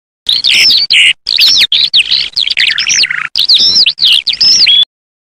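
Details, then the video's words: Eurasian skylark singing. A fast, high, twittering song of chirps and trills is delivered in close bursts, with short silent breaks between phrases, over a quiet background. "Il canto dell' Allodola"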